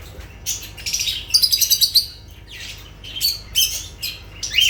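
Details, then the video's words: High chirping from lovebirds, including a fast run of bright repeated notes near the middle and looping squeaky calls toward the end. "Sounds of lovebirds"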